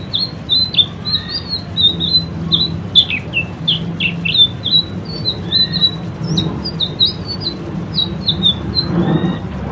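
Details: White-rumped shama 'gacor' song for training caged birds: rapid high chirps and short whistles in varied runs, a few lower notes, set against a steady low rumbling background.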